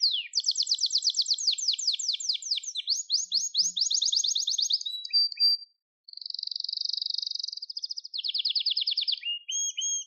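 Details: Gloster canary song played to train and stimulate canaries: long varied high trills, a short pause, a dense buzzy roll, then a lower trill closing the phrase.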